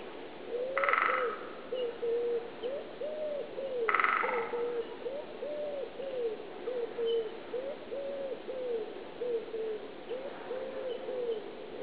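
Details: A wood pigeon's soft, low, hooting coos roll on in a steady phrase in the Steenmoor, broken twice by short, rapid drumming from two great spotted woodpeckers drumming for a mate.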